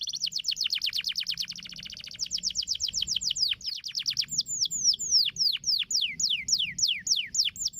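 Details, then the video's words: Canary song played as therapy to get canaries singing quickly and continuously: rapid high trills of descending notes, changing to slower, wider sweeping downslurred notes after four seconds, with a quiet low background hum. "Terapi Burung Kenari Agar Cepat Gacor Ngedurrr"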